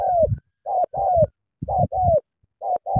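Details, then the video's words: Spotted dove from Cà Mau, Vietnam, eagerly delivering sắm thổ coos: two-note phrases, a brief coo then a drawn-out downward-slurred one, repeated roughly once a second, with soft low thuds. "Sắm thổ quá hăng hàng gù tuyệt vời"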